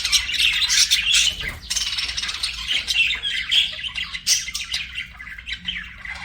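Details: Pet budgerigars singing and chirping: a dense, continuous warble of rapid chirps, squawky notes and chatter, many overlapping notes per second with no pauses, loud throughout.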